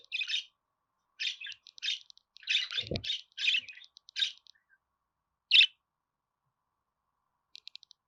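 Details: Budgerigar warbling: bursts of bright, scratchy chirps mixed with quick dry clicking ticks, broken by short pauses, with one brief low thump near the middle.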